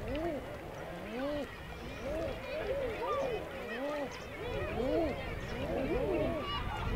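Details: Several male common eiders on nearby water, Isle of May, Scotland, giving soft low crooning 'ah-hoo' coos that rise then fall, overlapping almost continuously over a steady murmur of water.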